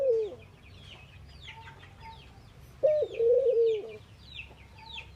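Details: Ring-necked doves in India during morning activity: a short low coo opens, then a longer wavering coo follows about three seconds later, with thin high chirps of other small birds scattered throughout.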